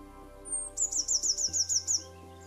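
A Eurasian blue tit sings: a thin, very high whistle, then a quick trill of about eight rippling notes. Soft background music plays throughout.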